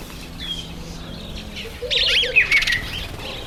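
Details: Masked weaver during its September–October breeding season in bright breeding dress; quiet start, then a burst of dense buzzy chattering with rapid sweeping chirps, over a low background hum.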